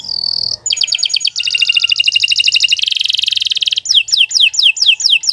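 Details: Long-winded canary song for teaching other songbirds. A held whistled note opens it, followed by chattering rolls and a very fast, dense trill. It ends in repeated steep downward-swooping whistles, each roughly half a second apart.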